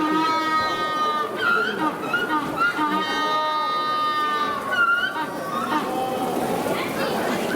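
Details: Magellanic penguin giving loud, harmonic, braying calls: sustained nasal tones that rise and fall, repeated almost without a break through the whole stretch, with some background noise.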